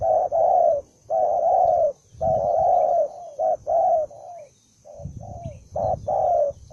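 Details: One newly caught spotted dove, described as highly aggressive and combative, gives loud, rough mid-pitched coos in short bursts of two or three, with brief pauses between phrases and a faint steady whine behind.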